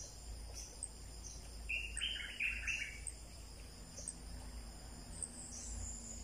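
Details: Wild bulbul in forest in the breeding season, near evening: one rich, bubbling burst of warbled notes lasting about a second, then quiet, with a constant high shrill of insects throughout.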